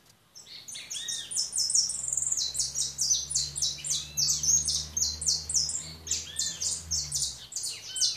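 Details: European goldfinch singing a continuous, rapid twitter of high tinkling and buzzy notes, tumbling without pause for about eight seconds over a faint low hum.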